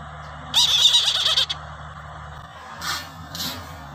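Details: A captive Brahminy kite at a zoo, while feeding, gives a harsh, wheezy, quavering squeal lasting about a second, then two fainter hoarse notes, over a low steady hum.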